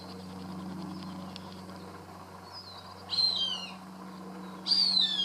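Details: Cooper's hawk eating a caught rat, calling as if pleased, filmed from a garage door: a faint slurred note, then two loud downward-sliding squeals a second and a half apart over a low steady hum.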